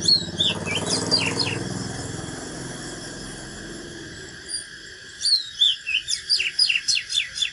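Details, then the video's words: ["A natural Oriental magpie-robin's fighting song: a short phrase at first under low rumbling noise, then after a gap a clearer run of swooping whistles and quick sharp repeated notes."] "KÍCH LỬA chòe than || Chích chòe than HÓT ĐẤU CHIM TỰ NHIÊN"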